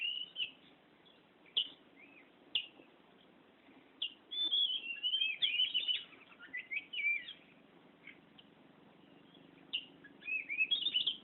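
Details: Kacer (Oriental magpie-robin) in ngerol song: scattered sharp high notes, then a long run of rapid warbled whistles and slurs, a pause, and a closing burst of twisting phrases over a faint hum.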